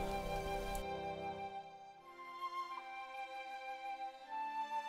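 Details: Soft flute-led background music plays, with sustained tones and no animal voices.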